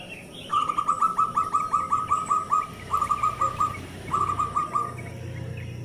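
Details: Local zebra dove, used as a prompt to get lazy doves singing. Three bursts of quick, evenly repeated soft cooing notes, the first series longest, over a steady hiss of background noise.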